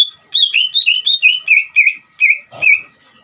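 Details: Greater green leafbird singing to provoke another leafbird to respond, delivering a rapid series of rich whistled notes, each slurring downward, about ten phrases in under three seconds, loud and clear over a quiet background.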